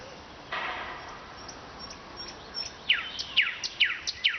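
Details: Nightingale song from Vologda, Russia: a brief rasping burst, faint high notes, then loud descending whistled strokes repeated roughly every half second.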